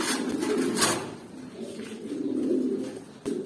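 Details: Low bubbling coos from pigeons eight to nine months old, reared for pairing and egg laying, rise and fade in two bursts with clatter and knocks between them.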